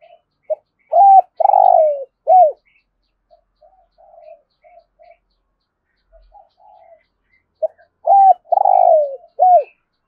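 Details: Rolling thúc gù calling of a spotted dove in thổ rền voice, heard as two full phrases about seven seconds apart. Each has a short note, a level coo, a long buzzy downward note and an arched falling coo, with quiet soft coos between them.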